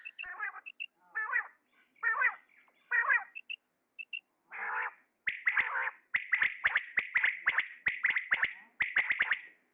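A male common quail calls: a few harsh, nasal bursts, then a quick run of sharp, liquid, high notes repeated about once a second, with faint clicks.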